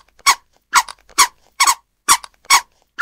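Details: Six brief nasal, slightly barking notes from a scarlet ibis, spaced about half a second apart, a couple of them doubled, with no other sounds present.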